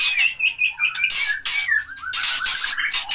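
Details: Young wild-origin white-rumped shama parent pair from Air Merah, Pining forest, Gayo Lues, Leuser mountains, Aceh, feeding chicks and wary of threats. Clear whistled notes sliding downward, mixed with loud harsh rustling bursts.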